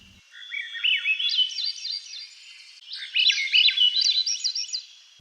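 Swainson's Thrush sings two spiraling phrases of flute-like notes, each climbing steadily upward in pitch, with a brief pause between them.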